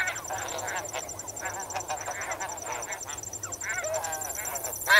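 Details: Snow geese calling as a flock while swimming and wading in water, recorded close: dense overlapping nasal honks with stacked harmonics, several birds at once, over a steady high pulsing cricket chorus.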